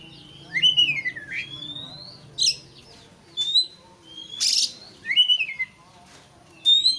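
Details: White-rumped shama (kacer) song used to provoke a rival into fiery singing: loud whistled phrases swooping down and rising again, with sharp buzzy bursts, separated by short pauses.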